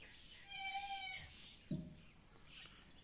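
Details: A blue ringneck parrot talks, giving one drawn-out, steady-pitched, nasal word lasting under a second; a single dull knock follows, over a low background hum.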